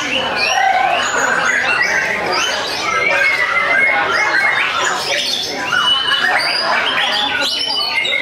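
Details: Captive-bred white-rumped shama from Tasikmalaya, Indonesia, in full contest-style song during a simulated competition, with rich mimicry: an unbroken, loud torrent of scratchy chatter, squeaky rising and falling whistles and buzzy phrases, varied throughout.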